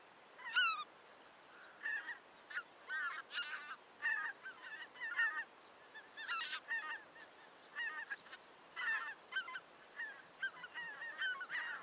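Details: Flock of greater white-fronted geese giving clipped, squeaky, two-syllable honks in separate bursts about a second apart, over a soft background hiss.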